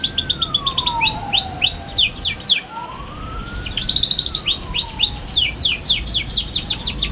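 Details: Twittering young canary used to tutor other young canaries: dense rolling series of high downward-sweeping chirps in two long bursts separated by a brief pause, a faint low sliding tone underneath.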